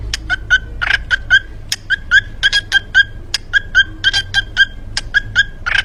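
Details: Kept parrot in Gujrat saying a short word again and again, each utterance a clipped, reedy, squawky syllable, roughly two per second, over a faint background hum.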